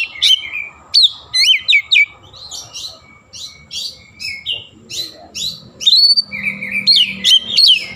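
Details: Oriental magpie-robin singing nonstop with Javan myna (jalak kebo) imitations mixed in. Rapid strings of bright whistles and upslurred chirps follow one another almost without a break, over a soft low rumble and a steady faint whine.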